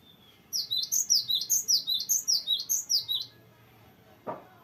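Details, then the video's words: Cinereous tit in the energetic long rolling song style used as a tutor for young birds. About fourteen high whistled notes, each dropping in pitch, are delivered rapidly in a steady pulsing run. A single soft knock follows after the song stops. "GELATIK BATU GACOR NGEROLL PANJANG BERVARIASI"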